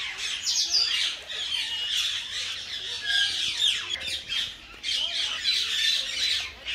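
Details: Common myna, a tame pet, talking: harsh scratchy chatter in swelling bursts with short gaps, dotted with brief whistled slides and squawks.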